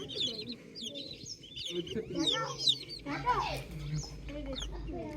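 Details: Farm chicks in the morning give quick high peeping chirps, short descending notes that overlap in a busy chorus, with lower murmuring clucks and a brief low rumble toward the end.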